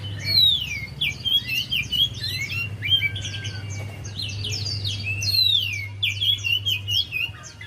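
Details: Javan white-eye pouring out dense, fast twittering song as a lure for a bird that will not sing. Chirps tumble in busy clusters with short pauses, over a steady low hum.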